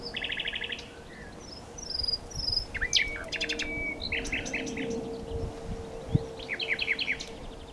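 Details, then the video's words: Nightingale in full song: a pulsed rattle, sharp high whistles, a dry clicking burst and churring repeated notes, phrases following one another with little pause over a low hum. "A Nightingale singing - Nightingale - Birdsong"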